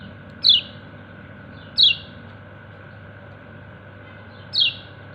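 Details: A white-eye known locally as kecial kuning gives three clear, high 'ciak' notes that drop quickly in pitch, irregularly spaced, while calling to its companions; low background hum throughout.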